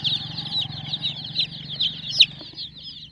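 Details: Baby chickens, colourful hen chicks, give constant high-pitched peeping, many overlapping short chirps with one louder sharp cheep near the end, over a faint low hum.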